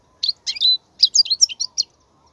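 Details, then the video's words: Goldfinch song for teaching young goldfinches: high chirps and a sustained sliding note, then a lively string of varied twittering notes. "افضل نصف ساعة تغريد الحسون , لتسميع الفراخ"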